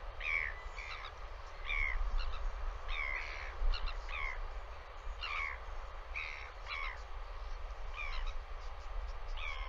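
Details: Royal albatross on a live nest camera during a visit by another bird; short harsh chattering calls with a bright upper tone, about a dozen bursts over ten seconds, over a constant low wind rumble.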